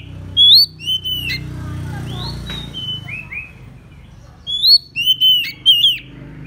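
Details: Oriental magpie-robin (murai kampung, kacer) used as a lure to call rivals: loud bursts of sharp slurred whistles separated by softer twittering, over a low background hum.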